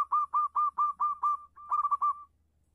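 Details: Local zebra dove singing actively with a clear voice: a rapid series of loud clipped coos, about six in a row, then a brief pause and a tumbling cluster ending in a drawn-out note, over a low steady hum.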